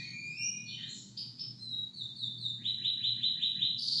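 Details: Two canaries singing together: high, sliding whistles give way to a fast, even run of repeated chirping notes in the second half, with a steady low hum underneath.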